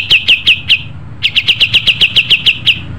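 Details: Pied triller in lively song, delivering evenly spaced, sharp descending chirps in two runs, four notes, then a short gap followed by about eleven more at a steady quick pace, over a low rumbling background.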